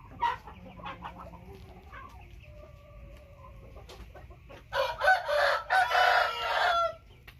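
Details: Rooster of the Thai white-tail type crows loudly after a few scattered clucks and faint tonal calls. The crow is a rough, broken series of segments lasting about two seconds.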